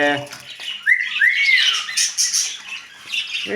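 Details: Talking parrot giving a clear, rising then falling whistled note, followed by softer chatter, indoors with music playing underneath.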